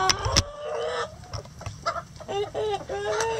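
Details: Hens clucking inside a chicken coop: drawn-out, nasal, harmonic calls, first one early, then a run of several quick clucks in the second half, with scattered clicks and scratching between them.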